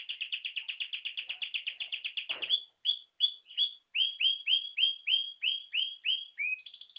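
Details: A brown-yellow ringed canary sings a quick rolling series of notes, then spaced rising whistled slurs repeated about three per second, ending in short trills; surroundings otherwise silent.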